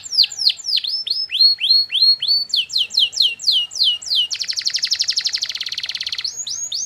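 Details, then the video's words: Long canary song for training other canaries to reply: repeated sweeping falling whistles, a quicker series of hooked chirps, then a fast rattling buzzy trill before falling whistles return, on a clean quiet background. "masteran burung kenari durasi panjang"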